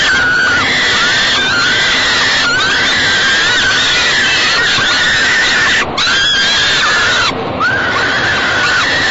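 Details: Peregrine falcon chicks in a nest box at Great Spirit Bluff being fed by their mother on an evening in late May; loud, harsh, repeated wailing screams with rising-falling tones run almost continuously over constant background hiss.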